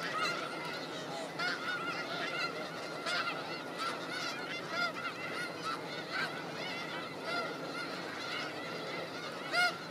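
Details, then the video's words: A large flock of snow geese feeding in Skagit Valley farmland keeps up an unbroken wall of honking. Repeated sharp, higher yelps rise out of the steady murmur of many birds. "Snow geese grazing in Skagit Valley farm fields"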